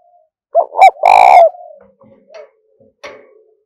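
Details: Spotted dove giving a loud, close coo, a sound for rousing and training decoy doves; two short looping notes, then a rich buzzing drawn-out coo that trails off, followed by brief softer notes and clicks.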